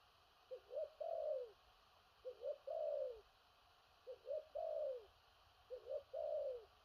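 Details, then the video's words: Spotted dove, a powerful cooing style called "thổ rặc", with far-reaching and stuttering coos. Four low phrases, each two short rising notes then a long falling drawn-out coo, repeat about every one and a half seconds over faint steady hiss. "Cu Gáy/THỔ RẶC ÂM KHỦNG/Clip455/Nước Xa Thúc Kèm Gù Cà Lăm"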